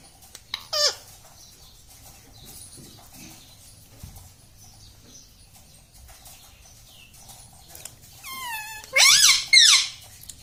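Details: Pet parrot indoors that repeats mummy, papa and radhe: a short high squawk early on, a long quiet stretch, then a burst of wavering, speech-like syllables near the end.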